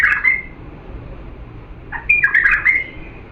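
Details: Diyala bulbul singing for chick tutoring: a short warbled opening note, a pause, then a longer liquid phrase of rapid bubbling, slurred whistles sliding down and up.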